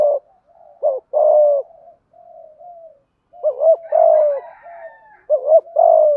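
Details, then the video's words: Malaysian spotted dove cooing in 'thúc gù' style: short clipped notes, each followed by a drawn-out steady mellow coo, with softer trailing notes between bursts and a faint higher note once. "Tiếng chim cu gáy thúc gù, cu gáy malaisia gù thúc bài bản, chim cu gáy thúc gù bài bản"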